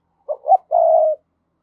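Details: Spotted dove used as a decoy to provoke wild doves. It delivers one three-note coo: two short rising hoots, a brief gap, then a long level coo, all clear against silence.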